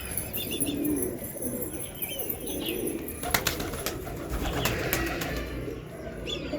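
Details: Low pigeon cooing murmurs on beneath a cluster of sharp clicks and rattling knocks midway, with a faint higher chirp early on.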